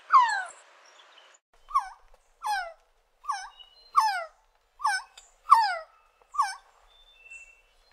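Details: Resplendent quetzal calling in a series of about nine short, descending, wailing notes, each dropping then curling slightly up, repeated roughly every 0.8 seconds after one longer opening note.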